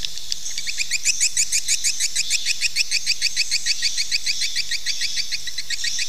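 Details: Swiftlet call played to encourage nesting: a steady series of short, bright chirps repeated about three times per second, very regular, over a faint high twittering background.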